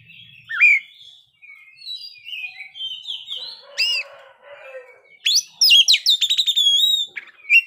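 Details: Oriental magpie-robin singing in the 'ngeplay' style at midday, used as a lure to stir other birds: varied whistled phrases and sweeps, a soft scratchy warble, then a fast burst of sharp repeated notes near the end.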